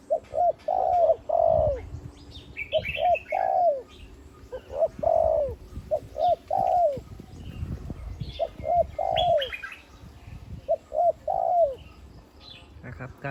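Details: Over-eight-year-old spotted dove, a big-voiced decoy formerly used in wild trapping and trained as ground and branch decoy, cooing steadily: about seven repeated phrases of quick short coos closing on a longer falling note, with faint higher chirps behind.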